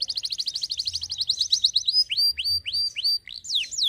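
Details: Canary song opening with a rapid chattering trill that gives way to separate rising, swooping whistles spaced about every half second.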